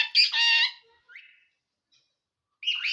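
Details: Green parrot talking while eating, with an Assamese phrase "ki kori asa" given: a harmonic, voice-like squawked utterance, followed by a short softer note and then a rising, scratchy call.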